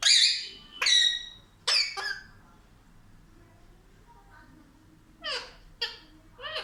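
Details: Indoor talking pet parrot, said to speak like a child, gives short high squeaky speech-like syllables in bursts, with pauses between and a few harsher notes near the end.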